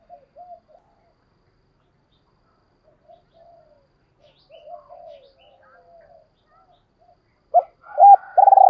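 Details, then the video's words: Spotted dove calling, from a recording used to train decoy birds: scattered faint, soft coos for most of the stretch, then loud, rounded coos near the end leading into a long, full coo. "Chim cu gáy tập bổi mới nhất"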